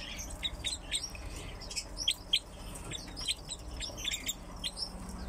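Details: Kept crossbills, housed alongside pine grosbeaks, give scattered short, sharp chirping notes in quick irregular succession, several birds overlapping, over a faint steady background hum.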